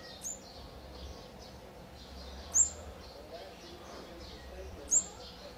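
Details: Olive-backed sunbird chicks fed at the nest in Thailand, fourth brood, day 14, 4 March 2020: three piercing, very high, thin notes spaced roughly two seconds apart, faint soft twittering in between, and a low hum underneath.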